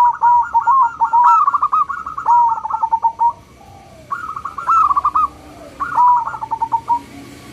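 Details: Small local zebra dove with a crystal voice, sung as a lure to set other doves calling. Quick stuttering coos run into trilled phrases, with three phrases in a row.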